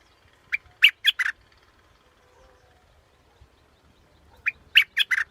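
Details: Scarlet-backed flowerpecker repeating a phrase of four sharp, harsh chips twice, about four seconds apart, with quiet in between.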